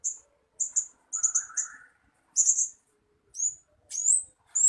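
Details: {'caption': 'Blue-crowned hanging parrot decoy calls used as a lure to attract birds: short, thin, very high-pitched chirps in quick pairs and trios. A lower buzzy note comes in the middle, then rising squeaky notes near the end.'}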